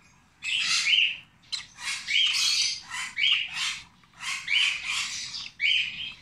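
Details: A 26-day-old rosy-faced lovebird chick, being hand-fed, gives harsh, buzzy, high squawks in bursts of about half a second to a second, repeated with brief pauses.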